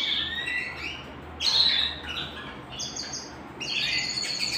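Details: Canary singing at home, short bursts of bright trilled phrases separated by brief pauses, quieter than full song, over a low steady hum.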